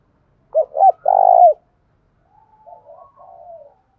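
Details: Spotted dove used in Vietnam to prompt other doves to call, giving two short hoots and a long buzzy coo, then a quieter, more distant coo phrase answers.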